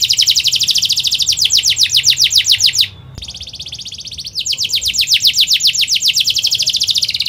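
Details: Fast dense canary roll, used to stimulate and teach young canaries; a rapid high trill of short notes breaks off for about a second and a half, then resumes just as quickly.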